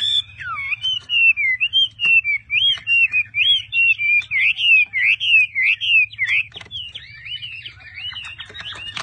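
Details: Chinese hwamei, a caged bird kept for sale in Vietnam, delivering a loud, clear whistled song of rapid looping, warbling notes, about three per second, with steady rhythm that breaks up and fades toward the end; faint low hum underneath.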